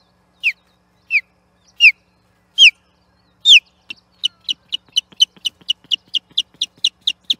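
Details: Osprey defending its nest platform at Charlo against an interloper, 8 June 2021. Five loud, separate, down-slurred whistles, then a quickening chain of short piercing chips, roughly three a second.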